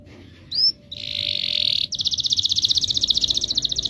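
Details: Canary's long rolling song: a sharp rising whistle, a sustained buzzy trill, then a fast, regular rolling series of repeated notes.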